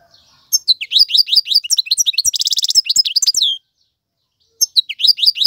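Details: Male European goldfinch song used to tutor young birds: a fast run of high sliding chirps leading into a dense buzzy trill, then silence and a fresh burst of twitters.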